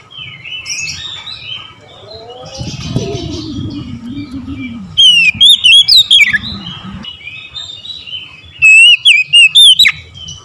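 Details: Two phrases of bright, looping whistles from an Oriental magpie-robin in the morning, the second one shorter. A low rumbling sound comes earlier, and soft twittering runs underneath.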